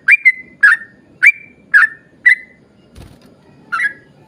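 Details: Lure recording of a yellow-vented bulbul singing vigorously in the long 'ropel panjang' style: six clear whistled notes, mostly down-slurred, spaced about half a second apart, broken by a brief thud near the end.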